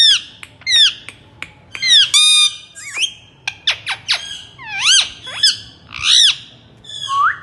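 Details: Talking rose-ringed parakeet: a dense series of harsh squawks and sharply swept, harmonic notes, loud and repeated rapidly, with an arching wavering note at the end.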